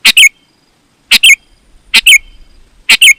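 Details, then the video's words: Lively Sooty-headed bulbul song, used to call other bulbuls into answering; four crisp two-note phrases of bubbly, high chirps spaced about a second apart, with a faint low rumble in places. "Suara Burung KUTILANG GACOR, Ampuh Untuk Suara Panggilan Burung Kutilang AUTO Ikut Gacor"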